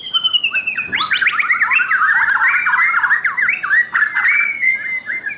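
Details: White-crowned shama song opening with a steady high whistle, then breaking into a long rapid run of buzzy, zigzagging notes and finishing on a level whistled tone.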